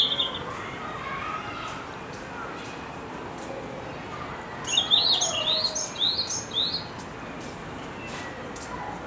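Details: Red-flanked bluetail song recorded at Higashiyama Zoo: after quiet hiss, a short high warble followed by a few rising whistled notes in quick succession, then fading back to faint background noise.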